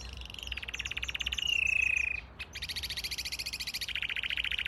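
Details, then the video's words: A canary sings a fast, rolling song of rapid trills and bright chirps, with a steady whistled note held for about a second partway through. "Canary Singing | Canary Bird Song"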